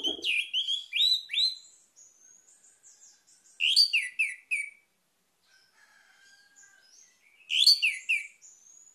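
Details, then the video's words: Orange-headed thrush: a rich phrase of rapid, ringing, slurred notes, repeated three times with soft, high twittering in the gaps. "PUTARKAN INI‼️ ANIS MERAH MACET AUTO GACOR"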